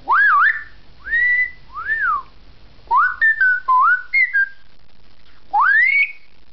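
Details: Two-year-old pet African grey parrot chatting with its owner early in the morning, giving a series of clear, pure whistles that swoop up and down, some rising sharply and others arching, with short pauses between phrases.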